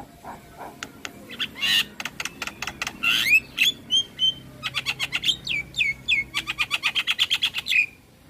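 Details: Javan myna singing vigorously, a full-repertoire training song meant to get other mynas singing: rapid runs of sharp chirps and whistled notes, some sliding downward, packed into dense repeated bursts with short pauses.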